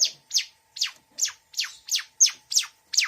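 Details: Long-tailed shrike (cendet) with mixed mimicry: nine sharp, steeply falling chirps, each quickly swept down, repeated at an even pace about every third of a second.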